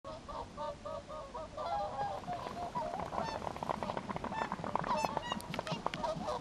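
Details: Around sixty swans gathered in a rice field in front of a home about 2 km from the sea in Japan, January 3, 2011; a chorus of repeated honking calls overlaps steadily, with several birds calling at once.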